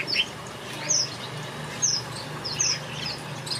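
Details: In a backyard aviary, finches give sparse, very high, thin chirps, each a quick separate note recurring every second or so, over a steady low hum.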